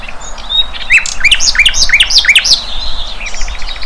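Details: Flycatcher in the wild, called sikatan londo, giving a lively run of sharp high chirps, several per second, each note flicking downward, over faint background twittering.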